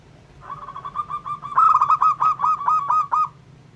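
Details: ['Zebra dove, local type, singing to provoke other doves: a soft, rapid trill of notes builds into about eight louder, separate, bouncing coos before stopping, with faint low hum behind.']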